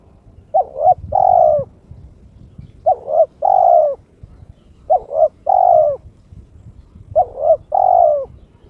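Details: Caged spotted dove in breeding mood with a clear 'crystal' voice, calling to invite a rival. Four even phrases, each two brief clipped coos and a longer sustained coo, spaced about two seconds apart.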